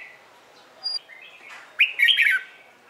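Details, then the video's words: Red-whiskered bulbul singing in the morning, recorded for training bulbuls to sing; a short high whistle, then a loud phrase of rapid, tumbling whistled notes. "CHÀO MÀO HÓT BUỔI SÁNG KÍCH BỔI RA GIỌNG HÓT THEO"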